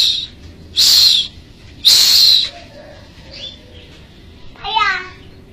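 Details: Bar-winged prinia from Majalengka giving loud buzzy high bursts, two strong half-second phrases about a second apart, followed by softer chirps and a final rapid buzzy trill over faint background hiss.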